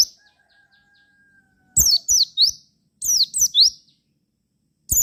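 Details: Javan white-eye lure song for making other white-eyes respond: a quiet opening with a faint sustained whistle, then two loud groups of three sharp, high sweeping chirps, and another burst at the end.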